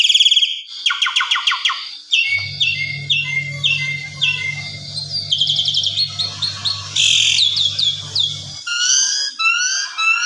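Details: Evening song of an Asian pied starling in full-isian style, used to tutor other birds: a fast medley of rattling trills, sharp chips and buzzy notes, with a steady low hum underneath for several seconds.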